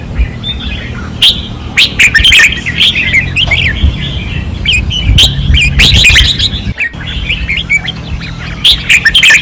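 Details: Caged red-whiskered bulbuls singing fiercely on a training perch in Pattani, 2024: bright whistled, warbling phrases from several birds overlap in bursts, over a steady low hum.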